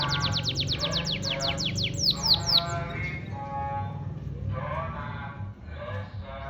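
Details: Morning canary song in open, free-flowing style: a fast run of high trilled notes, descending sweeps, then warbled harmonic phrases and chirps, with a persistent low hum beneath.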